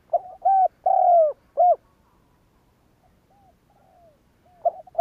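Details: Spotted dove's provoking call meant to make other doves coo: a loud four-note phrase ending in a short coo, followed by soft, more distant answering coos and the start of another phrase.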